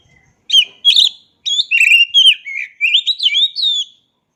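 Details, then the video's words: Oriental magpie-robin song opening with a few sharp chips, then flowing into a string of sweet, swooping whistled phrases. "Jamin Kacer Bisu Langsung Gacor Dengar Suara Asli Kacer Ini"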